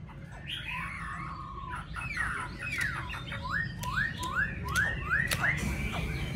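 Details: Caged yellow-billed Chinese hwamei kept at home: a run of rising slurred whistles repeated about every half second, fairly soft, over low background rumble.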